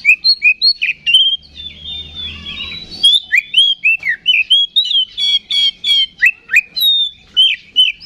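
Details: Magpie-robin provocation song for stirring other birds to fight, made of continuous clear whistled notes, slurred up and down, interspersed with quick high chirp bursts.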